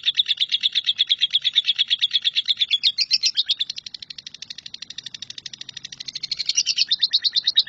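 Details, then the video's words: Lovebird in nyambung kuntilanak style, a tutor song for training shrikes: a continuous rapid chirping trill that runs unbroken for the whole stretch, dipping in loudness midway and then swelling back to strength. "LOVEBIRD NYAMBUNG KUNTILANAK"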